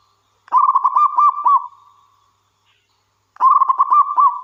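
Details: Local wild-type zebra dove in full song, used to coax other doves into calling, delivers two phrases of about five quick, beaded cooing notes, each ending in a drawn-out level hum.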